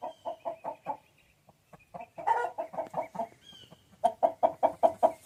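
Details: Chicken clucks come in quick bursts of short, throaty repeated notes, separated by a brief pause, then resuming louder and faster toward the end.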